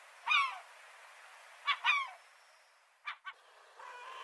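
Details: Scattered, harsh, rasping gull cries in short bursts, separated by quiet gaps. A soft, drawn-out call comes at the end.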